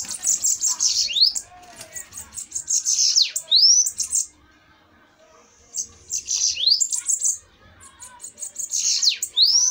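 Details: Bananaquits in a fiery singing duel: bursts of high, hissing, buzzy trills with sharp rising sweeps, separated by short quiet gaps.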